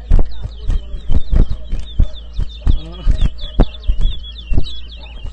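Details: Towa towa birds in a 2022 whistling competition at Rosehall Town, Guyana: quick, high chirped notes repeat steadily over dull low thumps and knocks, with occasional voices in the background.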